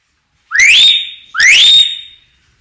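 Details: Common hill myna singing naturally: two loud, clear whistles, each sliding sharply upward and then holding a steady high note before fading, about a second apart, in a quiet room-like setting.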